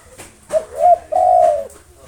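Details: Local spotted dove singing to challenge rival birds gives one full phrase: a short clipped note, a wavering double coo, then a long smooth drawn-out coo, in a quiet setting.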